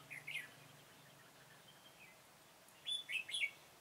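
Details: During trapping with a decoy bird on 21 September 2017, a Red-whiskered bulbul gives a faint short chirp early on, then after a long quiet gap a clear burst of three quick, bright warbled whistles.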